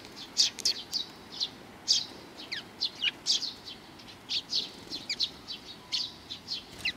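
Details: At Mizukami Bridge on 4 June 2020, several Eurasian tree sparrows come to be fed; sharp high chirps and a few downward-slurred notes scattered irregularly over quiet background.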